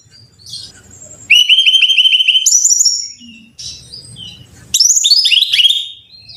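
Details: Lure recording of Brown-chested jungle flycatcher song for caged birds: a long buzzy pulsed trill, then a clear high whistle, a quiet gap, and a burst of descending whistled slurs, faint low hum between phrases.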